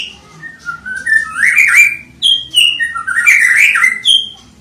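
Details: A one-year-old white-rumped shama from Bahorok, described as a loud-voiced fighter, sings loud, rich whistled phrases that slide up and down, mixed with harsher chattering notes in quick succession.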